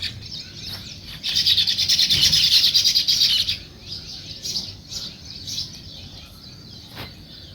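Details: Sparrows in the morning break into a loud dense burst of high chirping, then settle into scattered short tweets, with a single sharp click near the end.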